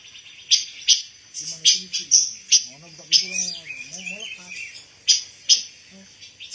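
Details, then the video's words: Pancawarna bird, a rare insect-eating songbird used as song material for white-rumped shamas, giving rapid high chirps and short trills in quick succession while a man talks quietly underneath. "SUARA BURUNG PANCAWARNA"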